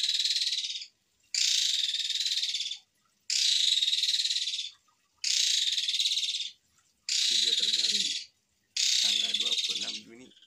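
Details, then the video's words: Asian pied starling repeating long, harsh shot phrases: six rasping, pulsed bursts of about 1.5 seconds each, at steady intervals, with faint low chatter under the last two. "MASTERAN JALAK SUREN GACOR FULL ISIAN TEMBAKAN KASAR PANJANG PANJANG"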